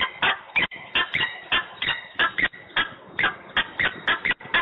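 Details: Peregrine falcon making a racket in Włocławek, Poland, 15 November 2020 at 14:22; irregular rasping calls, some in pairs, each a short scratchy note with a squealing top, with small gaps between.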